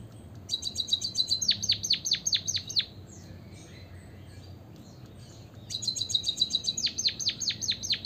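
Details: White-headed munia song in two bouts, each a fast stuttering high trill running into a string of sharp, falling whistled notes. A quiet stretch of about three seconds separates the bouts.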